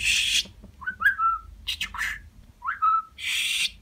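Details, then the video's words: A real talking budgerigar, edited to interest other budgies, chatters in a talking voice, with short whistled, rising syllables between bursts of harsh, noisy sounds that resemble imitated speech. "Konuşan Muhabbet Kuşu"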